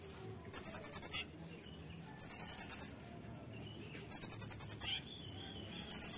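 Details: Brown-throated sunbird singing in the lively 'nembak' style, recorded as tutoring material for cage birds: four bursts of very high, thin, rapid trilled notes, each under a second long, separated by short pauses, with faint low background hum.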